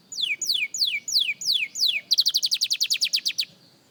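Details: Singing practice by a young canary: five slow, slurred descending whistles followed by a rapid, even trill of about a dozen bright notes.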